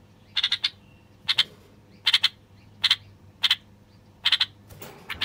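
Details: Male common bulbul of Moroccan origin, played to stir wild bulbuls into singing and mating: sharp clipped double and triple chirps repeated about every second, over a low background hum.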